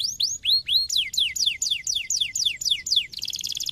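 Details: Canary singing to stimulate other canaries: a loud series of descending whistled sweeps, about four per second, ending in a quick buzzy trill.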